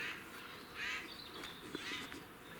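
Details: Jays, four birds, fighting and making weird noises in Cambridge, UK, on 9 April 2020; two harsh, rasping noisy bursts about a second apart over steady background hiss.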